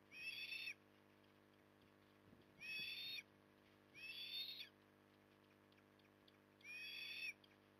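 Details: Osprey at Port Lincoln, Australia, on 9 October 2020, calling during evening feeding. Four bursts of shrill, high chirped whistles, each under a second long, come at uneven gaps over eight seconds above a steady low hum.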